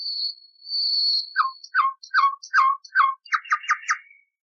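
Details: A long high whistle gives way to a steady series of about ten loud, repeated slurred notes, speeding up toward the end. Common nightingale song from an old recording, used to train canaries.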